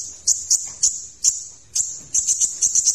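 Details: Van Hasselt's sunbird tutor recording with full varied song: a steady thin high tone broken by sharp bright chips, speeding into quick repeated notes toward the end.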